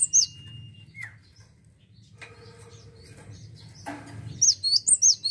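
A cinereous tit gives sharp, high chirping notes, with a quick run of four or five bright phrases at the end, over clicks and a low hum.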